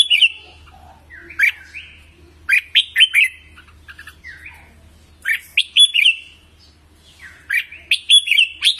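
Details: Red-whiskered bulbul singing for voice training of birds: lively warbled phrases of sharp chirps and slurred whistles, grouped in clusters separated by short pauses, with a soft low hum underneath.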